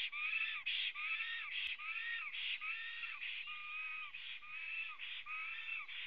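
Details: Wild black stork arriving at its nest and singing, captured by a nest webcam in Latvia on 23 June 2017 at 09:23. It gives a steady run of hoarse, wheezy, arched notes, about one every 0.8 seconds, with a rich, rasping tone.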